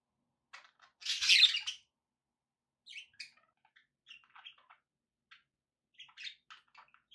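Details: A loud, harsh budgie burst opens the clip, followed by many soft, scattered chirps and twittering notes from pet budgerigars.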